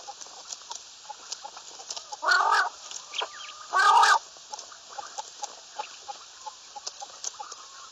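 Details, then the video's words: Two loud, rough calls from a common quail, each lasting about half a second and about a second and a half apart, with soft clicks and faint chirps between them. "Bater Ki Latest Awaz, Batair ki Awaz, Bater , Bater fight, Bater voice , Common quail"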